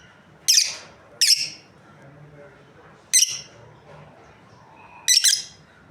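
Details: Breeding pair of lovebirds giving four sharp, shrill chirps, each a brief harsh burst, the first two close together, then two more spaced about two seconds apart, over a faint low room hum.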